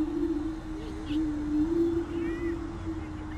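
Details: Greater prairie chicken (Tympanuchus cupido), a species endemic to the United States: a steady low hooting drone holds throughout, with a few faint higher whoops and squeals over it and a low background rumble.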